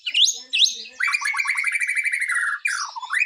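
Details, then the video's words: In Indonesia, a caged white-rumped shama readied for a song contest gives two rising whistled sweeps, then a steady rattling trill for about one and a half seconds, ending in falling slurred notes. "murai gacor siap masuk gantangan"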